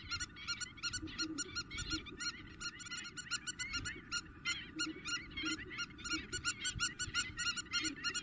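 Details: Spur-winged lapwings in Greece, April, giving intense calls: a dense, continuous stream of shrill, harsh notes, about three per second, overlapping birds, low rumbling noise beneath.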